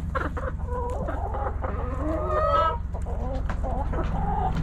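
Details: Backyard chickens, hens clucking and roosters crowing: busy overlapping clucks with a drawn-out, wavering harmonic call swelling near the middle, then more chatter over low hum.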